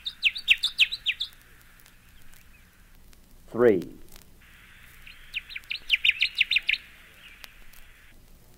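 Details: Connecticut Warbler giving two songs. Each is a rapid series of bright, sharply repeated chip notes lasting over a second. A man's voice speaks briefly between the songs, over steady background hiss.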